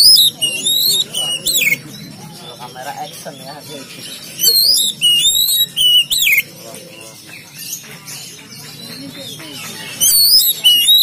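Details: Oriental magpie-robin from Pemalang, singing in loud bursts of varied high whistles, slurred rising and falling phrases and rapid chatters, with quieter pauses between outbursts.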